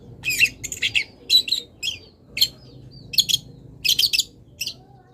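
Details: Master song of a long-tailed shrike for tutoring caged birds, packed with imitations of wild birds: harsh, high, chattering bursts and buzzy chirps delivered in short clusters about every half second.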